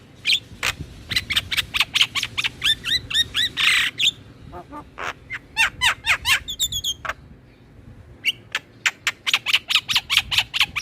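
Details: Black-winged myna song played to encourage captive mynas and other starlings to sing: dense, harsh squawks and chattering notes in quick irregular series, with a short pause before more loud raspy calls.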